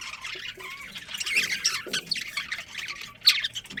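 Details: Budgerigar breeding colony: several birds chatter in high, rasping chirps and short squawks, building in density, with one sharp loud note near the end.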